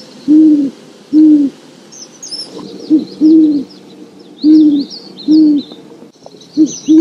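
Deep, soft Great horned owl hoots come in short uneven groups about every second or two, with faint high chirps and twitters of small birds behind.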